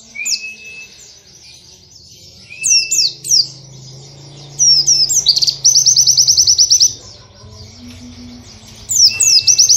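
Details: White-eye in a cage singing training song for other white-eyes, canary-like and rapid: thin whistles, short bursts of high slurred notes, and a fast buzzy trill in the middle, with quiet gaps between phrases.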